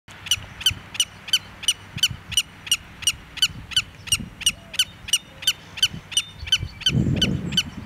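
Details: Willet on Long Beach in Plymouth giving an alarm call to warn off an intruder: sharp, clipped notes repeated steadily about three times a second, with a low rumble near the end.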